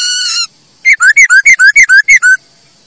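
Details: ['Masked laughingthrush song used to train birds to sing: a long, rich, sustained note, a short silence, then about nine crisp whistled notes alternating higher and lower in a lively bouncing rhythm.']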